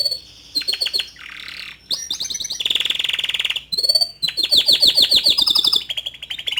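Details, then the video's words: Song of a young male canary used to coax a juvenile to start singing, with a high steady whistle, rolling buzzy trills, a rising slur and quick repeated chips in rapid succession. "Memancing Emosi Kenari Paud Dengan Kicauan Kenari Jantan Muda Agar Cepat Buka Paruh"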